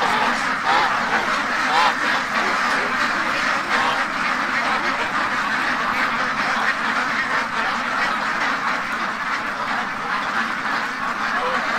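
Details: Spooked one morning, a flock of free-range domestic ducks in an Ontario, Canada pen keeps up a loud, sustained chorus of harsh overlapping quacks, some calls standing out as rapid nasal bursts above the din.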